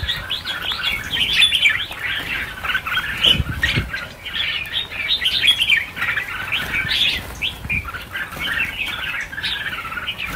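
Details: Freed red-whiskered bulbuls, about a thousand birds, keep up an unbroken chatter of bright, bubbling chirps and short whistled notes, with occasional flapping wings audible underneath.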